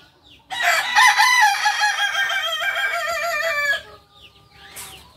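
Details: Kukuak Balenggek chicken, a native breed of Solok, West Sumatra, gives one loud, harmonic-rich crow lasting over three seconds, with a strong start that breaks into wavering, stepped syllables held at steady pitch before stopping abruptly, followed by faint trailing notes.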